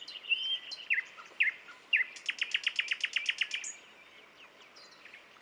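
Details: Nightingales singing at Dubki: a whistled opening, then a fast burst of about a dozen sharp repeated notes, followed by a drawn-out high whistle and scattered chirps.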